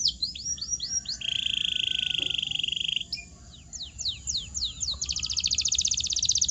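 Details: Canary singing a training sound meant to rouse silent birds: a few quick falling whistles, a steady low buzzy roll, a pause, more sweeping notes, then a fast bright trill. A faint background hiss runs throughout.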